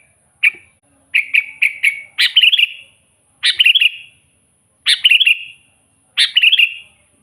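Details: Sooty-headed bulbul lure song for attracting wild bulbuls: a lone chirp, a run of three quick notes, then four rich warbled phrases of rapid bubbling notes, each about a second apart.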